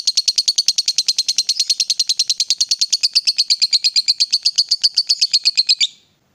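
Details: Lovebird, worked up and provoked to call, delivering a long ngekek: a fast, even stream of scratchy, high notes, roughly fifty in just under six seconds, then an abrupt stop into quiet.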